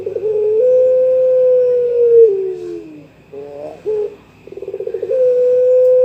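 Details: Young pelung Barbary dove calling out to a rival: a long even note slipping downward, a pause, short wavering notes, then a pulsing trill rising into another held tone.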